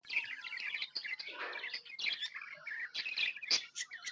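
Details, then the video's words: Happy pet budgerigars chattering, a busy stream of short bright chirps and warbled notes with quick clicks, dense and overlapping, with a brief lower rough burst near the middle. "Happy budgies chirping sounds"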